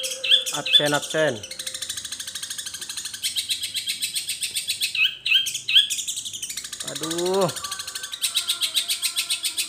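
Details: Long-tailed shrike in imitative song: whistles and downward-sweeping notes mixed with long runs of fast harsh pulsed chatter.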